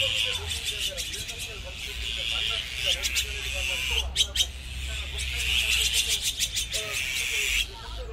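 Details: Flock of Azure-winged magpies, a Korean resident bird living in groups, known for strong family bonds and defending together against predators; harsh, buzzy rasping calls come in repeated bursts over soft, lower chattering notes.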